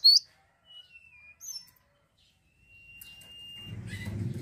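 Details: Cinereous tit singing: a sharp, high chirp opens, followed by thin level whistles and one long, steady held note, then a low rumbling noise builds at the end.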